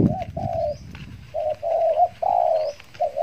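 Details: Trained spotted dove decoy used to lure wild doves, Riau Islands, Indonesia, after its moult; short burst of raspy mid-pitched coos with a few thumps and faint high chirps.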